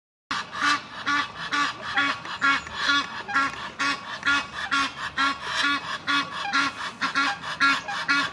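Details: Egyptian goose, a rival gander trying to win back his female: loud, harsh honks repeated about twice a second in a steady, pulsing series with buzzy harmonics, a low tonal undertone beneath each note.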